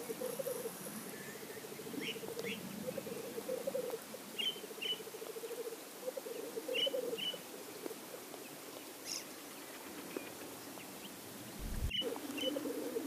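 Black grouse males at a lek give a continuous low, bubbling, dove-like rolling coo, broken by short rising hissed sneezes every couple of seconds.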